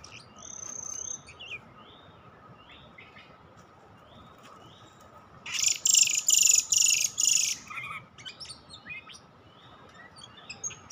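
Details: Oriental magpie-robin (kacer) sound for luring wild birds: a long high whistle, then a series of short falling whistled notes, then a loud harsh rasping burst of about two seconds, then more scattered chirps, over a constant faint hum.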